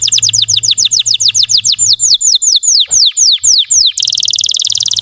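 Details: Russian canary bait song meant to provoke other canaries: roughly twenty rhythmic, sweeping, descending whistles, slowing slightly midway, then a sudden switch to a dense, fast, buzzy roll.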